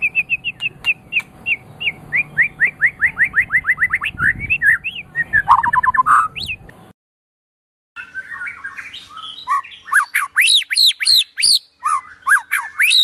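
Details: White-rumped shama of the Medan type, delivering a long run of rapid, repeated rising whistled notes that ends in a rich warble, then a brief gap before a burst of varied high, sweeping phrases.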